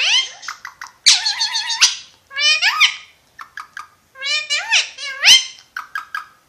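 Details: Talking Alexandrine parakeet (Pakistani ringneck parrot) gives a sustained nasal word, bursts of rising speech-like syllables separated by pauses, and short clipped notes, all fairly loud and clear in a quiet room.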